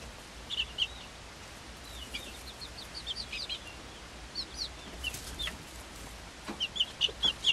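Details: Chorus of shrill falling peeps from Swedish Flower Hen chicks aged five weeks, alongside an equally old Silkie chick, hatched 26 February 2022; calls come in loose runs, louder toward the end.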